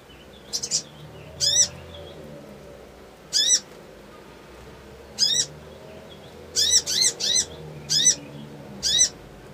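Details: Crimson sunbird, ngriwik ngleper trotol style, played as an emotion-provoking lure: sharp high chirps, single or in quick clusters of two to four, scattered irregularly across the stretch against low background hiss.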